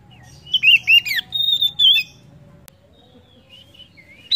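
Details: Oriental magpie-robin song meant to stimulate other birds into singing: a short run of loud whistled, looping notes lasting about two seconds, then quiet with faint thin whistles and a low background hum.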